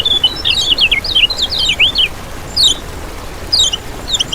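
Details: Lemon-bellied white-eye, played as a lure for trapping: an opening run of quick, high, zigzagging twittery notes tumbling downward, followed by two brief, thin, descending chirps.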